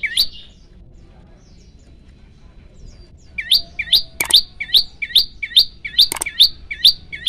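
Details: Prinia (prenjak lumut) singing lively 'tembakan' shot-like varied phrases: one upswept note, a pause of about three seconds, then a fast series of sharp rising chirps repeated about twice per second, with faint low background rumble.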